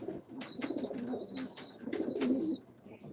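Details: Racing pigeons in a family loft, just after a black racer is pointed out: low, rolling coos come in several pulses over three seconds, while a thin, high whistled tone sounds three times above them.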